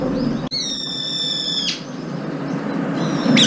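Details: Brown-eared bulbul, one of up to five gathering to feed together at morning food and squabbling, gives one loud drawn-out even-pitched squeal about a second long with a brief upward lift, over steady hiss.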